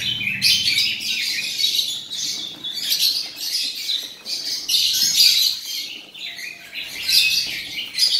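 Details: Male robin delivering long runs of bright, high-pitched twittering and squeaky notes, phrases swelling and fading every second or two with almost no low background sound.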